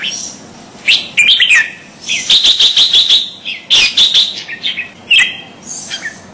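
A bulbul gives lively, chattering bursts of bright chirps and quick rattled phrases, with brief pauses between.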